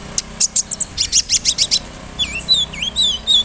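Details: Konin, the sunbird known as kolibri ninja, in a rolling song with mimicked cricket, cililin, sparrow and cerr fill-ins meant to provoke singing: a rapid run of piercing high notes followed by looping, bouncy whistled phrases.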